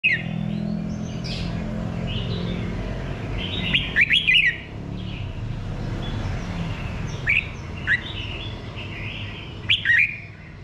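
A red-whiskered bulbul sings short, bright, warbled phrases every few seconds, with louder bursts among softer chirps over a steady low rumble.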